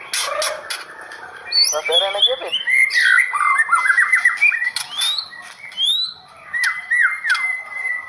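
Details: Competition-grade white-rumped shama in full song: a long run of quick whistled notes, rapid rattling trills and high sliding chips, with a brief lull before whistles resume near the end.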